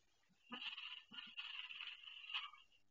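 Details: Hen duck straining to deliver her first egg on a nest she made indoors; a long, rasping, bleat-like cry rises from a couple of short grunts and holds for about two seconds.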